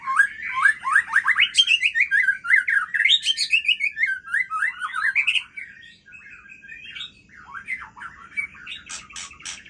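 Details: White-rumped shama of the Aceh type singing at midnight: a fast, dense cascade of stuttering whistled notes climbing and falling, then a quieter spell of scattered chips and a few harsh bursts.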